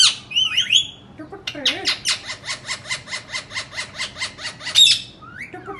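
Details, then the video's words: Indian ringneck parakeet calls: a few shrill squawks, then a fast steady chatter of about fifteen rasping pulses over three seconds, closing with another screech. "Indian parrots talking and making sounds"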